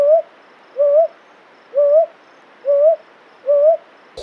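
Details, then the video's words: Brown hawk-owl, also called brown boobook, giving single hollow rising hoots. Five notes come roughly every second against a quiet background, ending in a brief click. "Brown Hawk Owl Call | Brown boobook Call"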